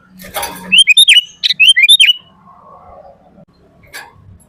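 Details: Sooty-headed bulbul song for luring and training bulbuls: two short bursts of clear, downward-slurred chirps, surrounded by rustling and thumping noises and a faint lower warble.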